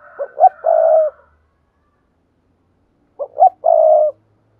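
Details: Spotted dove cooing, used to stimulate other doves: two matching phrases about three seconds apart, each with two short rising notes and a longer buzzy, mellow coo.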